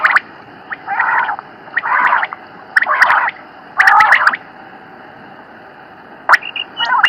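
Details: Common quail (Coturnix coturnix) call, used as a hunting sound: short, husky, gurgling bursts about once a second, with a few sharp liquid notes near the end.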